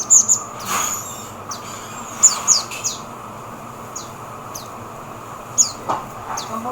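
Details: Oriental white-eye in the Philippines giving thin, very high chirps. Each note is short and sharply down-slurred, and they come singly or in quick pairs at irregular gaps of one to two seconds. The background is quiet, with a faint low hum.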